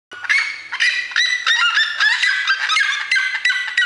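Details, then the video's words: Red-legged seriema giving loud, harsh yelping notes in a rapid series, about three per second, with a nasal, barking quality. "Quem não tem Galo vai de siriema"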